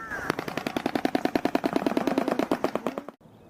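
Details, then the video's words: A Shoebill clatters its bill in a fast, hollow, machine-gun rattle of about a dozen knocks per second for three seconds, then stops abruptly. "The shoe bill is a huge bird known for its unique cry and frightening appearance."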